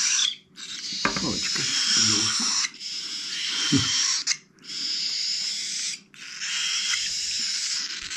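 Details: Young cockatiels, the year's last chicks, begging while hand-fed in 2021: rough wheezing rasps in bursts of about one to two seconds, separated by brief silences, with low thumps during feeding.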